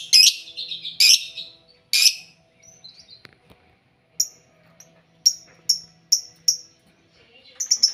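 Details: Caged lovebirds sharing one cage, making a racket: three loud, harsh chirps about a second apart, then quieter gaps and a run of clipped, high notes roughly every half second.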